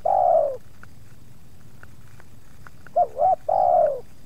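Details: Spotted dove calling while wild doves come close to a kept decoy bird during luring, the second resisting: a loud long falling coo, a quiet pause, then two quick bouncing notes and another long drawn-out coo.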